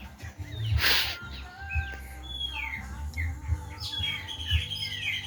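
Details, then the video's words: Birds singing at dusk in the countryside: several overlapping thin whistles and short chirps at varied pitches, over a steady low rumble and a constant hum, with one loud broadband burst near the start. "canto dos pássaros ao intardecer na roça"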